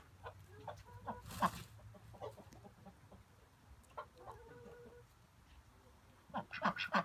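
Ducks give short nasal quacks in loose, irregular bursts, with a few harsher honking notes and a louder cluster near the end.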